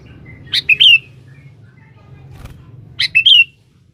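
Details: One sooty-headed bulbul calling a rival, sung vigorously as a lure: two matching bubbly phrases, each a sharp note and two falling whistles, about two and a half seconds apart, with faint low hum.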